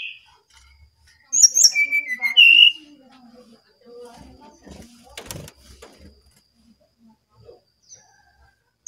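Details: Brown-chested jungle flycatcher, Bali, singing actively: one sweet whistled phrase dropping from high to lower notes with a rising finish, followed by faint clicks and soft indoor noises.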